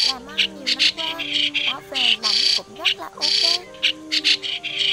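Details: Migratory white-cheeked starling song played as a trapping lure, 2020 season: dense grating chatter of rasping notes, some long and some clipped, over constant low humming tones with brief swooping whistles.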